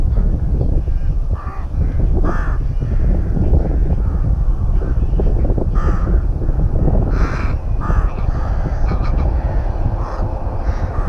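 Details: Rook colony at a nest, Tyrnovo: scattered harsh, grating caws from several birds at uneven intervals, some loud and some distant, against steady low wind rumble.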